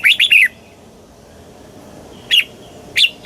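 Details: Red-whiskered bulbul song from Thailand in the southern master style, used for stimulating caged birds and teaching young ones. There is a quick three-note slurred phrase, then two separate single chirps after a pause.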